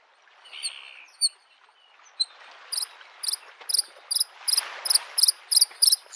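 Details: Bluethroat singing in spring beside a lake: a few scattered high thin notes, then a run of paired ringing high notes repeated rapidly and speeding up, over a soft broad wash of lapping waves.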